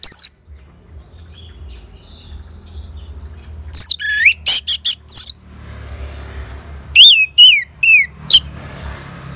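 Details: Orange-headed thrush reacting to a lure recording with bright, twisting whistled notes and quick sharp chips, delivered in two fast clusters after a near-silent pause, with a faint low hum beneath.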